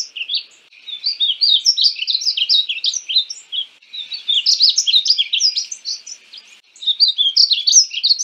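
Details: Painted bunting (Passerina ciris) pouring out dense, fast warbled phrases of high sweet notes, three bursts with short breaks.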